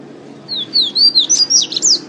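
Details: A single pateta-style phrase from a double-collared seedeater in Natal, Rio Grande do Norte: about seven sharp, sliding high whistles in a rapid run, with low hum behind.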